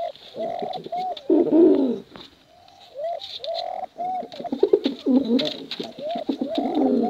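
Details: Male and female contest pigeons cooing, recorded to lure young squabs; deep arched coos come in bursts with rolling, throaty grumbles and short pauses between phrases, over faint clicks and background hiss.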